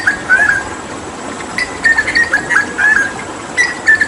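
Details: Hooded butcherbird tutor song recorded during water therapy: short clear whistles, a brief pause, then clusters of quick warbled whistles repeated at irregular intervals, with faint clicks behind.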